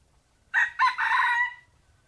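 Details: Red junglefowl crowing while wild junglefowl are lured to fight a decoy: one loud, short crow in three quick harmonic bursts, the last held about a second before cutting off abruptly. The background is otherwise quiet.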